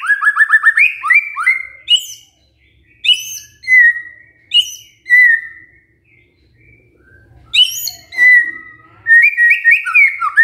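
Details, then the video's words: White-rumped shama song played as a lure to make a lazy male sing: a quick trill of rising notes, then separated whistled phrases with gaps, ending in a bright run of high warbled notes. "Cukup HITUNGAN DETIK MURAI MALES JADI GACOR MENDENGAR PANCINGAN INI❗❗ PANCINGAN MURAI BATU GACOR❗"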